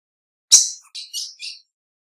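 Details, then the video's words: Calling female ultramarine grosbeak: one loud harsh chirp followed by three softer, buzzy call notes in quick succession, then silence. "FÊMEA DE AZULÃO - PIADO E CHAMADO"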